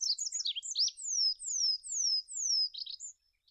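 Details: High twittering from an olive-backed pipit on a master recording for cage-bird training, followed by four long, clear whistles sliding downward in pitch and a final burst of chirps.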